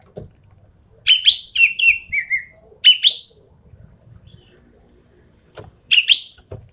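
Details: Ekek keling, the Javan pied starling, in tembakan style: clusters of shrill metallic whistles and squeaks with a buzzy descending tail, a pause, then another harsh burst near the end; faint low background noise.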